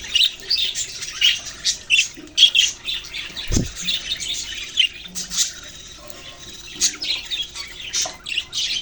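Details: Budgerigars, Australian parrots, giving scattered chirps and short squawky bursts with gaps between them; a single low thump sounds midway.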